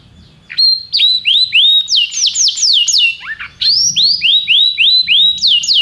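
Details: Canary delivering a rhythmic song of repeated rising whistled notes at about three per second, broken by a brief cluster of steep sweeping phrases before the repetitions resume.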